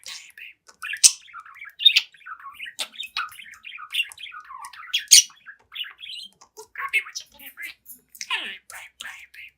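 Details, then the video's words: Seven-month-old budgie warbling energetically at its mirror reflection, loud fast sequence of high chirps, squeaks and raspy squawks in a steady stream. "Young Budgie Talks, Dances, and Sings in Front of the Mirror"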